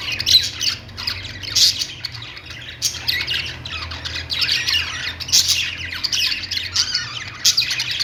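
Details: Domestic budgerigars chatter steadily, loud squawky chirps breaking out every second or two above an ongoing murmur of softer warbling from several birds.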